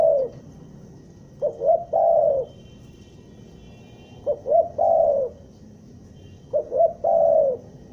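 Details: Spotted dove (tekukur) kept as a lure bird in Bandung, Indonesia, in the stuttering "gagap" style: three cooing phrases, each two short rising notes and then a long, mellow, falling coo, spaced about three seconds apart.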